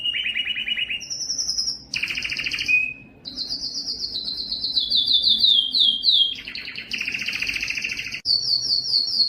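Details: A yellow canary sings a continuous, high-pitched run of rapid trills and rolling phrases switching pitch every second or two, with no other sounds.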